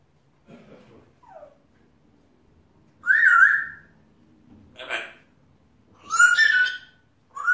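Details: Pet African grey parrot, a male, chattering to himself: scattered whistled notes, a wavering whistle near three seconds, a short burst, then a rich harmonic squawk-whistle and a final rising note, with quiet gaps between.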